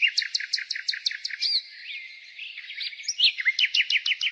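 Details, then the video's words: Nightingale singing in spring: rapid series of loud, sharp repeated chirps at a steady pace, a short varied middle phrase, then another fast run of repeated notes, over a constant hiss of other birdsong. "Nightingale singing"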